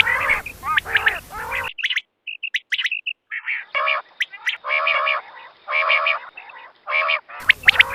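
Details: Quail calling in the morning in short, nasal, harmonic bursts, about one or two each second, between sharp clipped notes and brief silent gaps.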